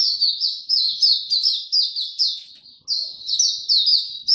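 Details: Oriental white-eye, a caged songbird, delivering buka tiong aw song on 25 January 2022 after a late night: loud, bright, high warbled phrases in quick bursts, each swelling then fading, with a short pause near the middle.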